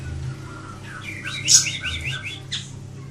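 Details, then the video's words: Ashy tailorbird giving a fast rattling string of clipped, chirping notes, about six in quick succession, topped by one loud high squeak, against a faint steady low hum. "Kicauan Burung Siri Siri"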